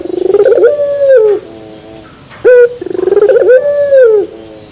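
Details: Pelung-style song of a puter turtle dove with a metal-edged terasan voice: two long coos, each a rough rising onset, a sustained clear note and a falling end, separated by a quieter low trill.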